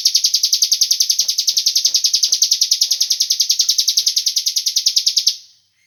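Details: Cigun bird played as a lure to prompt other birds to sing, giving a long, fast, shrill pulsed trill at an even rate for about five seconds before stopping abruptly into silence.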